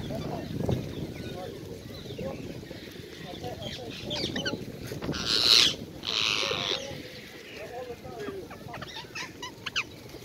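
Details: Wild ringneck parakeets at a busy feeding spot in Hyde Park, London, with birds perching on people's heads and arms: a couple of loud, harsh screeching bursts in the middle, over low murmuring voices and rustling park noise.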